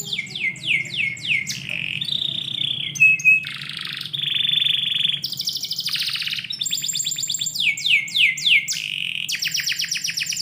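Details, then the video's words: Canary singing indoors in the morning: a fast, continuous high-pitched song of rapid descending trill runs, buzzy rolled phrases and steady whistled notes, changing pattern every second or two, with a faint low hum underneath. "KICAU BURUNG KENARI - DIPAGI HARI DALAM RUMAH"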